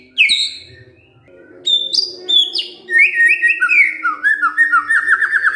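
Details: White-rumped shama kretekan fighter material used to make quiet shamas answer: a sharp opening note, a pause, varied whistled phrases at shifting pitches, then a rapid run of repeated chattering notes.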